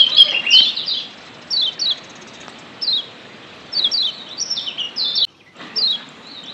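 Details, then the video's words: Lombok yellow white-eye from the wild, used as a lure to make birds sing actively. Short bursts of high, descending chirps arrive in clusters separated by quiet gaps of about a second, with a brief silent cut near the end. "Ciak Joss Kecial Kuning ALAM LIAR‼️PERANGSANG Ampuh Bikin Kecial AKTIF BUNYI‼️"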